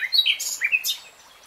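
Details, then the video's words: Common nightingale song phrase made of brief, varied chirps and upslurred notes, some thin and high, tumbling quickly over about a second before silence. "BEST NIGHTINGALE SONG 3 Hours REALTIME Nightingale Singing"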